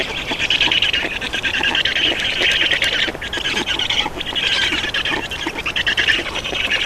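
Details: During feeding and an adult changeover at a Black Stork nest in Estonia on 31 May 2019, near midday, hoarse rasping calls pour out almost continuously in uneven pulses.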